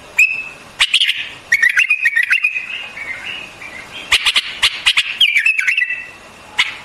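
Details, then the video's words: Song of the white-eared bulbul, a warbling run of liquid whistles that wavers up and down, broken by sharp clipped notes and short quiet gaps. "Singing of White-Eared BULBUL, The beautiful sound of White-eared bulbul, صوت البلبل أبيض الأذنين"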